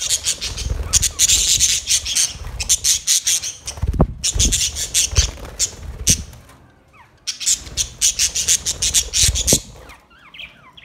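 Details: White and green parrots in a colourful colony, recorded August 26, 2023: dense bursts of harsh, screechy squawks from many birds at once, in pulses separated by brief lulls, with low thumping knocks underneath.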